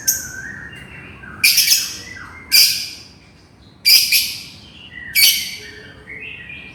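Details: Shrill, harsh squawks from a lovebird calling to its companion, four loud bursts roughly one to one and a half seconds apart, each with stuttering notes, softer thin chirps in between.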